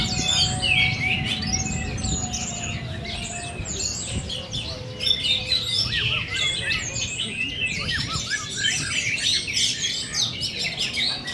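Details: Teler-style singing from a four-month-old orange-headed thrush: busy, high warbled phrases and quick chirps, about three or four notes a second, with a faint steady tone and low noise beneath.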